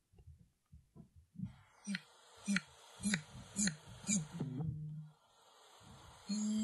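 Eurasian bittern: a run of about six deep, hollow, trombone-like pulses, roughly two per second, with faint clicks and a man's voice before and after.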